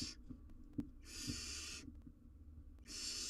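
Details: Barn owl owlet in the wild, caught on a live cam with a jird too big to eat, makes repeated breathy rasping hisses, one clipped at the start, one full, one beginning at the end, with light taps between.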